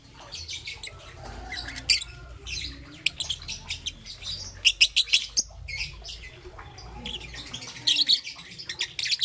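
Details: Young peach-faced lovebird chirping in the morning, green and yellow plumage: quieter scattered shrill chirps building into louder rapid bursts, with a low hum underneath.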